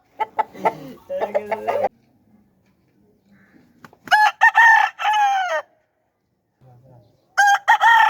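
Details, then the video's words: Aseel roosters crowing, with a run of choppy clucking notes, then a loud, drawn-out crow that falls at the end, and a second crow beginning near the close. "Aseel Roosters Crowing"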